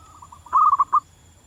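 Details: Wild local zebra dove: soft lead-in coos build into a short, loud, stuttering series of mellow trilled notes that stops abruptly.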